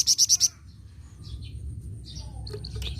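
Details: Flamboyan bird giving a short run of four sharp, high ringing notes, then quieter scattered chirps and faint twittering.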